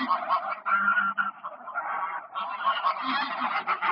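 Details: Greylag geese on park ponds, 1 October 2024, produce a loud unbroken wall of overlapping nasal honks and cackles from many birds at once.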